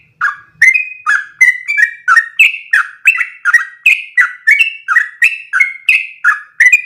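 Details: Long one-breath 'ropel' song of a sooty-headed bulbul, recorded as training audio for other bulbuls: an unbroken stream of bright whistled notes, each with a falling then rising inflection, varying slightly in pitch, roughly three per second.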